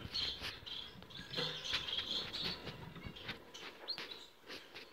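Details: Young cut-throat finches, sibling nestlings from 2018, give rapid high chirps and squeaky notes in quick, irregular bursts, with some rustling and tapping underneath.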